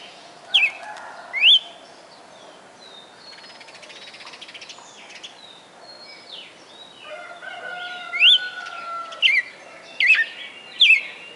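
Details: Red-cowled cardinal, a caged bird kept over four months in Fortaleza, Ceará, Brazil, singing its prized 'perfect song' of over twenty notes: loud, bright rising whistled upsweeps in uneven bursts, with softer warbled passages and a low held tone between.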